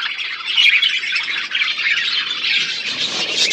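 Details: Several budgerigars eating seeds in a natural outdoor aviary give dense, continuous high chirping and warbling chatter, overlapping voices throughout with no pauses.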